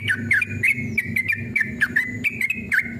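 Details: Sooty-headed bulbul, a singing male in aggressive mood, pouring out quick warbled whistles that loop down and up in close succession, with a low steady hum underneath, used to entice other bulbuls to respond.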